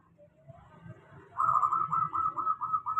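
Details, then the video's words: Local zebra dove song used as a lure to prompt doves that rarely sing to call, described as a steady sound. A faint low murmur comes first, then a rapid run of repeated rolling notes at a constant pitch. "suara pancingan perkutut lokal. suara stabil cocok utk perkutut malas bunyi"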